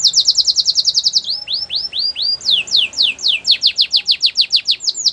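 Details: Canary song offered for training young canaries: a fast run of downward-sweeping high notes, then slower, broader rising-falling slurs, then another rapid series of bright descending notes, with about a dozen syllables per tour.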